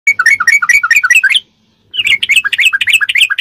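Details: Sooty-headed bulbul in rapid 'ropelan' song style, a recording used as masteran to train captive birds: two fast bursts of repeated paired, slurred chirping notes, each burst over a second long, separated by a short silence.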